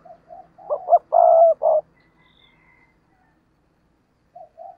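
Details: Spotted dove used as a decoy for wild doves gives one full low coo phrase: soft lead-in notes, two quick clipped hoots, then a long level coo and a short closing note, followed by quiet and a faint restart.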